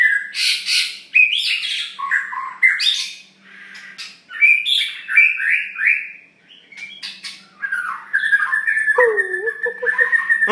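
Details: Long-tailed white-rumped shama delivering gacor isian song: harsh buzzy notes and quick whistled slurs tumble out in varied bursts, a quieter stretch midway, then a sustained whistled note and a lower wavering phrase near the end.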